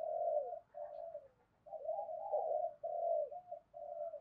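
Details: Spotted dove giving quiet 'thúc gù' cooing, used to stimulate other doves to coo: a steady run of soft, blurred, mellow coos in irregular bursts over faint background hiss.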